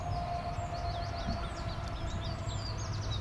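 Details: Canada goose goslings, many young birds together after a productive breeding season. A busy stream of high, downward-slurred whistled peeps repeats several times a second, over a steady low tone and rumble.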